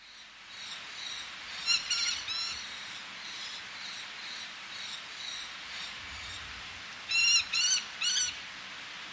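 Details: Eleonora's falcon, a male calling close by with females calling from ledges, sea audible; scattered harsh, nasal, ringing notes, then a tight burst of three loud calls near the end over steady surf.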